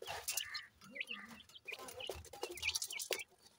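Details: Several grey francolin chicks at play utter soft, high cheeps and short downslurred whistles in a loose jumble, over faint rustling.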